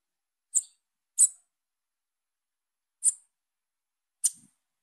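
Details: A young female Bananaquit calls with four brief, piercing high notes at uneven intervals, with silence in between.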